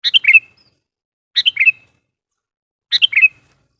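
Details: Three crisp descending phrases of a sooty-headed bulbul lure bird, each a quick run of four notes, repeated roughly every one and a half seconds to provoke wild birds.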